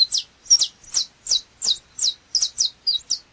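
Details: Saffron finch (canário chapinha) delivering loud, clipped notes, each a quick high chirp dropping in pitch, repeated roughly every third of a second in a steady series.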